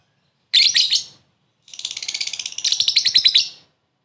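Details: Short laughing ngekek from a lovebird, meant to call a rival and serve as a lure: one harsh shrill burst, a pause, then a long buzzy rattle that grows louder near its end.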